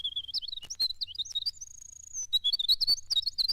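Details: A winter wren, a bird of northern forests and the same species as the European wren, pours out a rapid, high jumble of tinkling notes and trills, broken by one long, thin, steady whistle.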